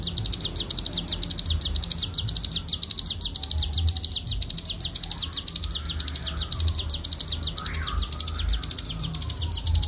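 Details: Bar-winged prinia singing ngebren style for a clear-voiced master: dense, rapid, high chirps repeated without pause, while faint wavering tones slide up and down in the background.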